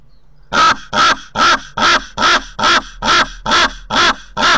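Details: Common raven visiting a camera-watched nest in Corbera de Llobregat, Barcelona: ten loud, hoarse, evenly spaced calls, one roughly every 0.4 seconds.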